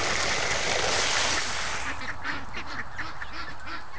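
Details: Free-range farm ducks in the morning, roused by their pool being filled: a loud wash of running water fades, then several birds break into low, nasal quacks, rapid and fairly even at about three to four per second.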